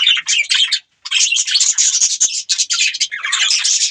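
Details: Budgies keep up a continuous scratchy, twittering chatter of fast high chirps, with one short silence about a second in before the busy warble resumes.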